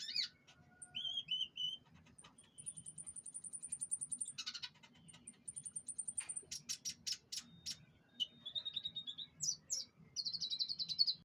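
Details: Canary singing during pengembunan: varied phrases with long, thin, very high held whistles, ticking trills, buzzy rolls and repeated chirp bursts in quick succession.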